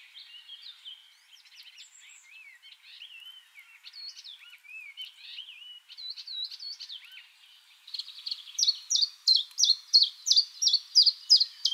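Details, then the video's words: A Common chiffchaff sings in a spring forest, its mating song: soft, varied high twittering gives way to a loud run of about ten sharp, evenly spaced notes, roughly two or three a second. "CHIFFCHAFF bird singing"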